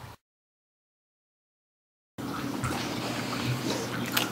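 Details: Brief dropout to silence, then steady splashing and trickling water over a low hum, with no animal voice heard.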